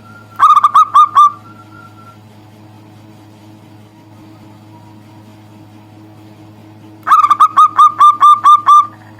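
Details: Local zebra dove calling a rival, a caged bird reluctant to sing: two bursts of about seven rapid, even cooing notes, one near the start and one near the end, separated by a long quiet gap with a steady low hum.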